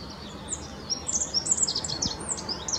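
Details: Rock bunting on the Apolloweg at Valwig in the Moselle valley, Germany: thin high twittering phrases of quick rising and falling notes over a steady background hiss.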